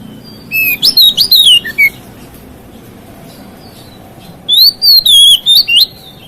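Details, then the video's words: Singing oriental magpie-robin, called kacer, whose song is said to trigger other magpie-robins: two bursts of strident, zigzagging whistles with steep up- and downslurs, about three seconds apart. "KICAUAN KACER MEMICU EMOSI KACER LAIN"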